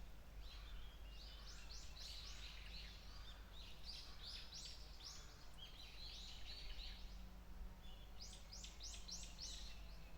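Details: White-eye calling with clusters of thin, high, rapidly repeated downslurred chirps, several tight runs of four or five notes, with constant low-pitched background hum beneath.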